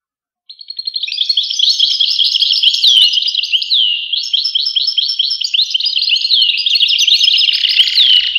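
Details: After a short silence, a European goldfinch launches into a long, fast twittering song of high chirps and swooping whistled slurs, ending with a brief buzzy note.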